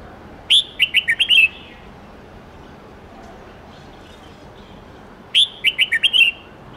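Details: Red-whiskered bulbul singing a varied, wild-standard song of 8-9-10 notes, used for training young birds; two bursts of quick, bright whistled notes mixed with sharp clicks, about five seconds apart, with quiet between.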